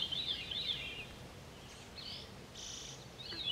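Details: Short stretch of catbird song from 10 July: a quick warbled phrase, then a few separate squeaky and slurred notes spaced apart, with soft background noise.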